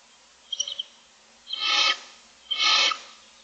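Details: Six barn owl owlets in a nest box begging for food in the morning: a few quick chirps, then two long harsh rasping hisses about a second apart, each lasting roughly half a second.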